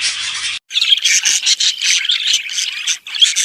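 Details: Budgerigar chatter offered as a sound to stimulate budgies to breed: dense, buzzy, scratchy warbling with rapid squawks and chirps, briefly broken by short pauses, after an opening burst of harsh noise.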